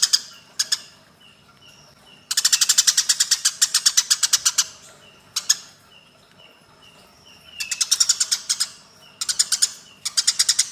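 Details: Fighting Eurasian tree sparrows give long volleys of fast, scratchy chirps, the longest lasting about two seconds, broken by quiet gaps holding faint thin whistles.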